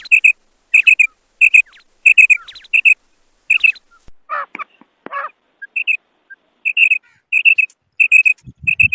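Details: Female quail giving bright paired notes in a steady run, roughly one or two pairs a second, briefly interrupted midway by a few harsher rasping sounds before the clear doubled notes resume.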